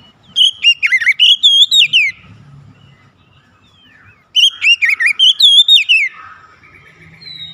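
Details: Gacor song of an untrained young kacer (Oriental magpie-robin): two loud two-second bursts of rapid, warbling whistled notes with sharp up-and-down slurs, separated by a quiet pause with faint low rumble.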